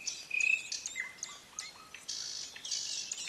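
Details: An ouzel chick in its twig-and-leaf nest, tended by its parents, gives high, thin whistles and short chips, giving way to insistent hissing bursts that repeat about every half second.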